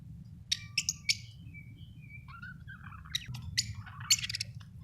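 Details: Budgies, described as Australian birds, chirping: bursts of sharp, scratchy high chirps at the start and end, with softer warbling, rising and falling notes in between, over a steady low hum.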